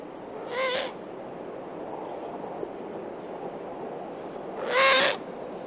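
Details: Eurasian eagle-owl owlets begging for food, with the female's voice in the background: two harsh, hissing, drawn-out rasps about four seconds apart over a steady background rush.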